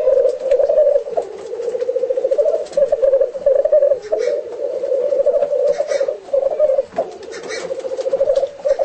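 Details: Black grouse at display, home recording: a steady rolling, bubbling coo that swells and dips in loudness throughout. Scattered short hissing, sneeze-like bursts cut across it.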